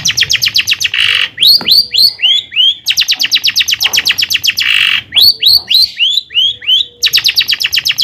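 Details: Long-tailed shrike in full, rich song used as a lure to rouse other shrikes: rapid trains of high repeated notes alternating with harsh bursts and swooping downslurred whistles, the pattern cycling several times.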